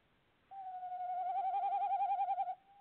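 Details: Tawny owl calling at a nest box on 25 February 2018: a single long hooting note, steady at first, then quavering for about two seconds before stopping abruptly.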